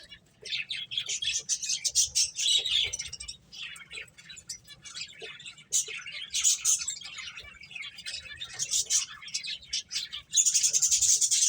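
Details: Several finches chirping during play, rapid high twittering in bursts with short gaps, ending in a loud dense chorus of chirps.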